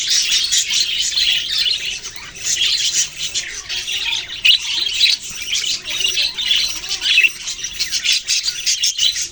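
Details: A group of budgerigars, Australian parrots, chatters energetically. Harsh squawks and bright chirps tumble over one another continuously.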